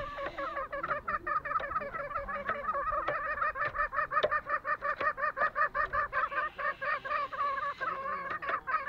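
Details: Green junglefowl on Lombok: nine seconds of dense, rhythmic gobbling chatter, short nasal notes at about two or three per second, growing more evenly pulsed toward the end.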